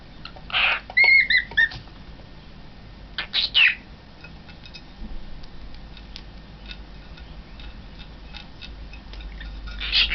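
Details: Young pet cockatiel in front of a mirror, recorded 20 March 2012: harsh, buzzy squawks in a quick burst near the start, a second pair of rasping calls a few seconds later, then quiet room hiss with a final squawk at the end.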